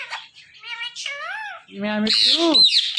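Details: Pet Indian ringneck parakeet talking: a run of harmonic, speech-like syllables with rising and falling glides, ending in louder, harsher mimicked words.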